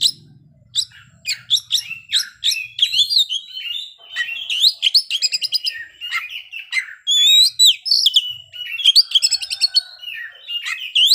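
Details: Kacer, or Oriental magpie-robin, in sustained, varied song displaying its filler repertoire: quick sharp chips, looping whistles, and dense rattling bursts delivered almost without pause, with a faint low hum at the start.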